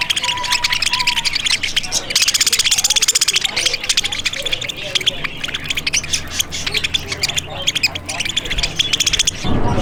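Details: Hungry parakeets at a feeding area near Picacho Peak, Arizona, clamouring while fed from a stick on a hot day; constant shrill chattering and chirps from a crowd of birds, a brief voice and handling noise near the end.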